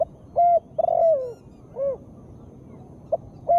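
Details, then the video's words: Female spotted dove voice played as therapy to make reluctant birds sing. Steady coo, then a long stuttering coo that falls in pitch, a softer rounded arched coo, and a brief note starting the next phrase. "Tekukur gacor suara betina sangat bagus untuk terapi burung yang malas bebunyi"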